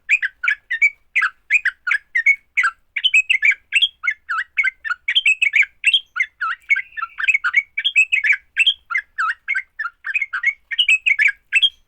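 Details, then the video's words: Sooty-headed bulbul fighting song meant to make other bulbuls sing: continuous, rapid, bubbly chatter of short varied notes, tumbling on without a break for the whole stretch. "Kicau TRUCUK TARUNG, paling cepat bikin trucukan BUNYI."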